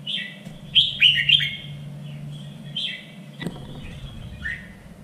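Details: Red-whiskered bulbul singing for contest training in a three-region standard voice; a lively burst of bright warbling notes, then softer whistled phrases and a brief click, over low background noise.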